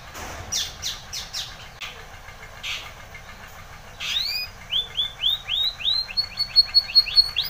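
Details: Spanish Timbrado canary song played for training: a few faint descending notes early, then from four seconds a run of rising-and-falling whistled syllables repeated quickly, growing louder toward the end.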